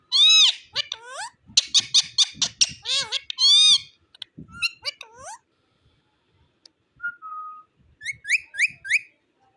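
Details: A talking Indian ring-necked parakeet chatters in bursts of high, raspy, speech-like syllables with curving whistles, then pauses before a thin whistle and a few quick squeaky notes.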